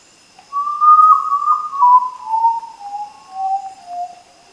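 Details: A common potoo (Nyctibius griseus), a nocturnal bird of Central and South America, gives its soft, mournful night call: five or six whistled notes, each lower than the last, fading over about four seconds against faint hiss.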